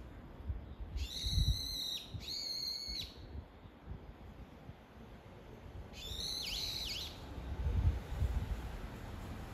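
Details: Brown-eared bulbul calling its mate: two loud, harsh squealing notes in quick succession, rich in overtones, then a pause and a third call with sharp downward dips; low rumbling background noise throughout.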